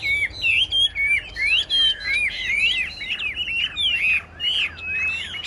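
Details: A tame Chinese hwamei sings on a contest rack: a rapid, continuous stream of clear whistled notes, swooping and warbling without a break over quiet background hiss.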